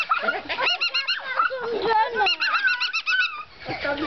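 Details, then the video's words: A laughing cockatoo at Plantaria in Kevelaer, Germany, gives a run of quick, nasal "hi-hi-hi" laughing notes in bursts, with a person's voice speaking alongside. "Laughing cockatoo-2-hihihihi"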